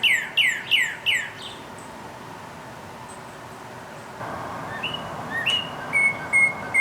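Northern Cardinal giving four loud, clear whistles that slide steeply downward in a quick series, then softer steady whistled notes over a faint background hiss.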